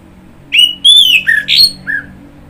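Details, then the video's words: Orange-headed thrush song: a short run of loud, clear whistled phrases, some sliding downward, others rising, ending with a brief falling whistle, over faint low background hum. "Kicauan Burung Anis Merah"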